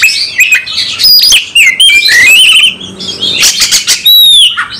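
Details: Agitated Oriental magpie-robin in fighting mode, pouring out its full repertoire: dense, loud run of sharp chirps, slurred whistles and harsh notes, a brief lull near three seconds, then high clear sweeping whistles and descending notes.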